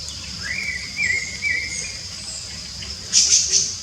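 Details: Free-singing rufous-bellied thrush gives one drawn-out, gently wavering whistled phrase. A burst of sharp, very high chirps from another bird follows, over a steady insect drone.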